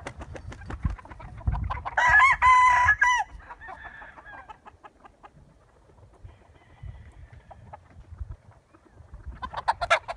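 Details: Roosters and chickens: a rooster's loud crow of about a second rings out over rapid clucking, which dwindles before another burst of clucks at the end.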